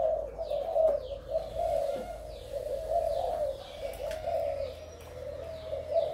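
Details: Spotted dove, a male Malaysian-strain decoy bird, giving steady low coos that swell and fade in a loose rhythm, with thin descending chirps of small birds in the background.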